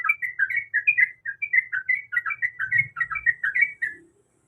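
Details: Sooty-headed bulbul female, in breeding condition, calling to a male with a continuous stream of short, bubbly chirps that rise and fall at a fast, irregular pace, over a faint low rumble.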